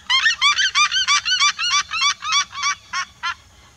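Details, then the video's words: A flock of red-legged seriemas calling together: a fast run of about thirteen loud, harsh yelping notes, each arched in pitch and rich in overtones, spaced evenly at first, then slowing and fading toward the end over a faint low rumble. "O canto vibrante de um bando se seriemas."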